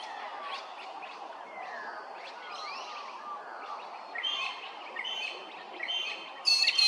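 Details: Laughing kookaburra at Hervey Bay, Queensland, harsh cackling bursts building in the second half over a constant hiss of background noise, with thin sliding whistles from other birds earlier and a sharp high note at the end.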